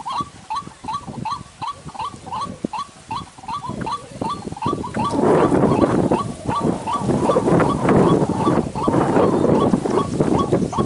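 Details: White-breasted waterhen lure call used for bird trapping in the dry season: a rapid, steady series of sharp, hooked mid-pitched notes, about two or three a second, joined partway by loud rustling, crackling noise.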